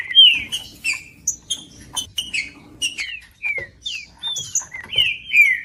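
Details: Green-winged saltator singing for warming up a cold saltator: separate bright whistled notes, several sliding downward, spaced by short gaps, with thin high chirps scattered between them.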